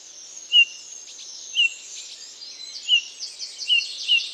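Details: Eurasian bullfinch giving five soft, short, slightly falling whistles about a second apart, an unobtrusive, shy call often called mournful, over a steady high twittering of other small birds.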